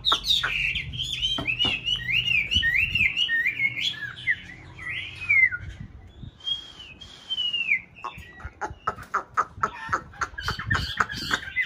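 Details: White hwamei from a breeding pair kept in an aviary for conservation in a mountain town, singing during nest building: varied looping whistled phrases, some drawn-out slurred whistles, then a rapid burst of clicks and snaps.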